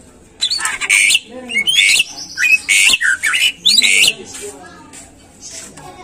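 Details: Greater green leafbird kept in a cage, singing to draw other birds into song: loud, harsh, buzzy bursts mixed with slurred whistles, delivered in choppy phrases about one second long.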